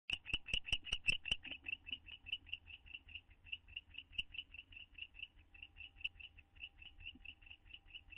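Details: A pair of owls in a nest box, bonding, on 9 May 2011: short, bright notes repeated about two and a half times per second. Several louder, clicky notes open the sequence before it steadies into softer, even pulses.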